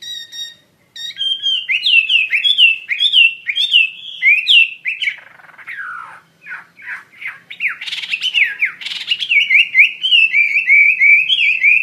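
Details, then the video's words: Actively singing hwamei (wambi mandarin bird) gives a varied stream of sweet, downslurred whistles and quick chirps, with a burst of sharper notes midway, then steady repeated lilting phrases. "Burung Wambi Mandarin Gacor Joss"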